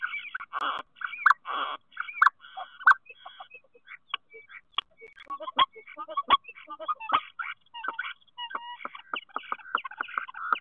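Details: Spring song of a common starling at a nest box, Théding, France, 10 March 2023: harsh chattering phrases give way to a long run of rapid clicks, ticks and brief whistled notes.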